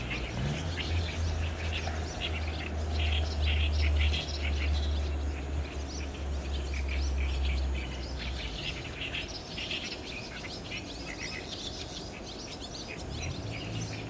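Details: Crowd of barn swallows entering a roost on a cloudy 30 June 2019, recorded with a DSLR: busy twittering of many birds, quick high chirps throughout, over a loud low rumble that swells then fades after eight seconds.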